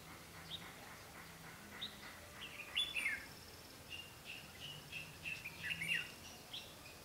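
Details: Red-whiskered bulbul singing as a trapping decoy in a competitive contest with wild birds, dated 12 August 2016; a run of varied chirped and warbled notes, busiest around three and six seconds.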